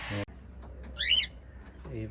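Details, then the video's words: A cockatiel chick, one of six albino and grey chicks being hand-fed with a syringe, gives one short, shrill chirp that rises then drops, set between bits of a man's speech. "Cockatiel Birds Hand Feeding | Chirping Sounds"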